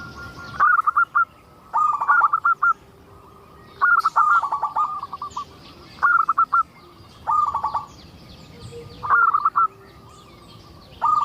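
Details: Persistent singing from a local zebra dove meant to coax other zebra doves to sing: seven loud, stuttered cooing phrases of rapid clipped notes, each falling slightly, delivered roughly every one and a half seconds.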